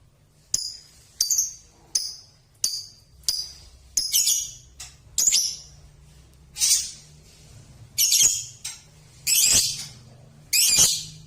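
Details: Six-month-old Balibu lovebird giving sharp, high chirps one after another, spaced roughly every half to one second, the later ones longer and harsher, with a faint low hum underneath.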